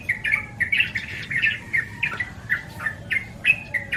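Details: Rapid, lively series of short bubbling notes from a yellow-vented bulbul, locally called trucukan, repeated steadily for several seconds with little pause.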